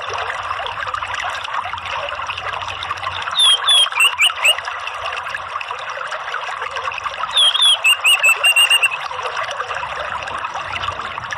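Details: Orange-headed thrush singing in the ngeplong lure style meant to coax other birds to sing: two bursts of quick, bright whistled notes separated by a pause, set against a constant watery hiss.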